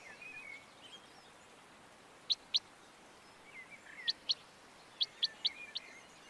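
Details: Common chaffinch in the Montes de León, Spain, March 2022: crisp, abrupt notes delivered in pairs and small bursts, over faint background birdsong.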